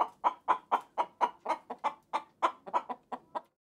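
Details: Chicken producing a series of about fifteen punchy clucks at a fairly regular pace, each note short and abrupt, with no other sounds.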